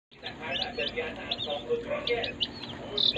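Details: Day-old chicken chicks in a brooder give a dense stream of high, thin peeps, many short downward-slurred notes overlapping, with murmuring voices and low room noise beneath.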